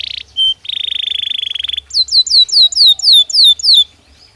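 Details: Belgian canary singing naturally: a short buzzy note, a clear whistle, a rattling trill lasting about a second, then a series of loud, separate down-slurred whistles about five per second.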